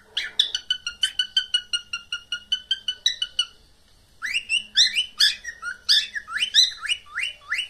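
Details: Pet cockatiel mating call: a fast run of short even whistled notes, about four a second for three seconds, then after a pause a rougher, louder warbled burst of chirps.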